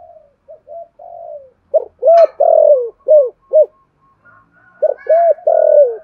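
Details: Spotted dove coo calling to rouse other doves: soft low introductory notes, then a loud phrase of short arched coos with a long falling coo, and a second phrase beginning.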